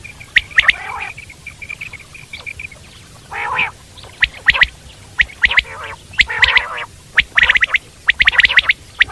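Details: Common quail in the wild, with a thin sustained tone early on, then clipped, bright notes in rapid groups alongside several deeper, rasping croaks.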